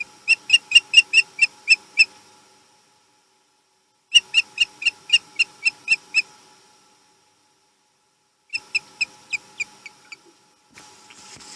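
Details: Male osprey returning to its nest on the Chesapeake, 22 March 2020, giving three bursts of clear, high whistled chirps, each a rapid series of about seven to eight evenly spaced notes, with silent gaps between and a light rustle at the end.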